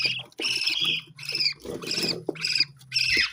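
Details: Parrot giving harsh, buzzy warbled squawks in roughly six bursts, some grating and scratchy, with a low steady hum beneath.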